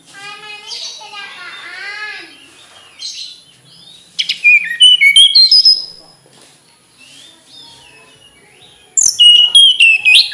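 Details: Mountain flycatcher singing two bursts of quick, pure whistled notes in a rising, bouncing pattern. A faint, lower chattering sound comes first, and quiet gaps separate the phrases.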